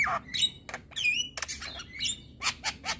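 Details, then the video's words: Short burst of male Javan myna song, played to stir other mynas: scratchy chatter, a ringing upslurred whistle, and a few harsh clipped rasps at the close. "Burung Jalak Apapun LAngsung Emosi Dengar Suara Jalak Kebo Jantan Masteran"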